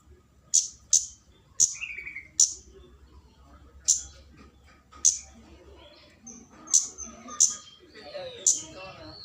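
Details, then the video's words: Flowerpecker lure call meant to draw in a rival, delivered as sharp, very high clicking ticks, singly or in quick pairs, about nine in nine seconds; faint whistles from other birds and low background hum. "Pancingan burung kemade cabe-cabean GACOR NGALAS memanggil lawan"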